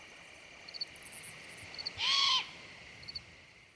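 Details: A young great horned owl screeching on a warm, still late-September night in pine forest along Nebraska's Niobrara River: one harsh, hissing screech under half a second, over a steady hiss with a few faint high chirps.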